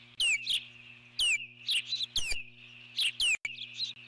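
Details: Eagle on the nest giving alert calls at an intruder near the nest: piercing high whistles dropping sharply in pitch, alternating with brief chattering notes, several per second, and a low hum in the background.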